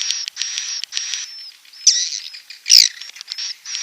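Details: Calls of a swiftlet: long, flat, high whistles repeated with short gaps, cut by two louder harsh squeaky twitters.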